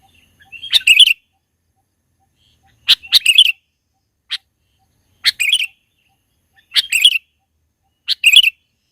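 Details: Sooty-headed bulbul, mountains, recording meant as a trapping lure; short rich chirp phrases, often preceded by a crisp single note, repeat about every two seconds with clean quiet gaps.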